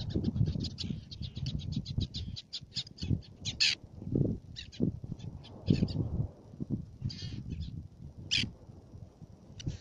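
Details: At Fares, Baa Atoll, Maldives, Black-naped terns give a fast series of short, high, grating calls, then scattered louder single notes, over heavy low-pitched rumbling.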